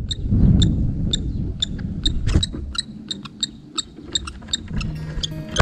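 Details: Courting kestrels at their nest in mid-February, where the male passes food to the female, trade short, thin, high squeals and chips, repeated several times a second in irregular bursts, over a low rumble of background noise.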